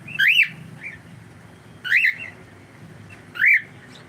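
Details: Pet cockatiel repeating a loud arched whistle about every one and a half seconds, three calls in all, with a softer chirp between the first two.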